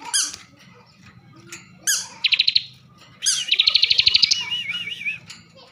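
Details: A caged bar-winged prinia from Slawi, Central Java, gives clipped sharp notes and a short buzzy burst. A longer pulsed trill follows that trails into a wavering whistle, over low background hum.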